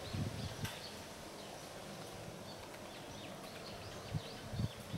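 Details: Japanese pygmy woodpecker excavating a new nest hole in a willow, Katsurazaka, Nishikyo, Kyoto, 18 March 2021, another bird nearby: dull, irregular knocks, two early and a cluster near the end, faint high bird chirps behind.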